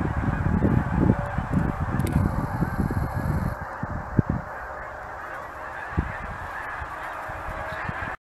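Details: Huge flock of geese visiting each year, loud overlapping honks for about four seconds, then thinning to a few scattered single honks before the sound ends.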